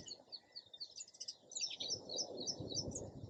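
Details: Sparrow giving quick, evenly spaced high chirps, about three or four a second, while a low rumbling background swells in the second half.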